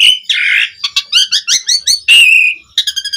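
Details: Energetic song of a Javan pied starling, played to draw other starlings into singing: a long whistled note, harsh buzzy burst, then a quick run of repeated bright chirps and a drawn-out whistle.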